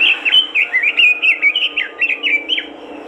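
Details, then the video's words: Robin in full energetic song, played to get other robins singing: a continuous stream of clear, looping whistled notes, swooping up and down and repeated several times a second without pause. "TOP masteran burung robin gacor dor,bikin robin lain ikutan gacor"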